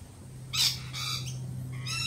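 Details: A single loud, grating lorikeet screech, then softer scratchy notes and a quick run of high chirps, from birds still jittery after a peregrine falcon attack earlier in the week; a low hum runs underneath.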